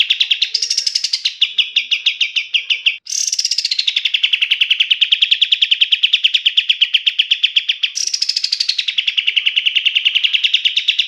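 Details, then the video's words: Kapas tembak bulbul, recorded as a training master for songbirds: three long phrases, each opening high and sliding down into a very fast, unbroken chatter of sharp repeated notes, with a brief pause after three seconds. "SUARA KAPAS TEMBAK SUPER JERNIH UNTUK MASTERAN BURUNG JUARA"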